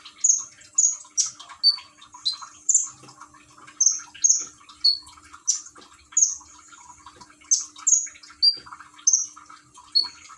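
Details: Common iora in Gresik, East Java, Indonesia, singing to trickling water played as calming therapy: repeated bright whistles alternating between very high and slightly lower notes, in irregular bursts, with continuous water splashing.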